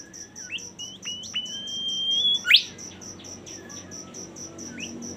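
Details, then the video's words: Bimoli song with several quick upward-jumping notes, a long clear whistle and a loud steep sweep, followed by softer scattered notes; crickets pulse rapidly in the background. "suara super mewah burung bimoli"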